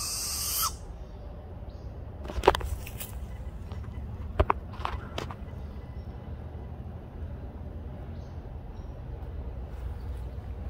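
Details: A barred owl perched on a branch beside a mountain-bike trail gives a few harsh, hissing warning screeches spaced a couple of seconds apart at a person who stopped nearby, over a steady low rumble.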